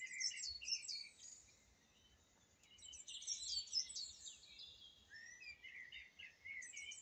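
A song thrush sings loud, varied phrases of bright whistles and sharp chirping notes, with short pauses between bursts, over a faint low rumble.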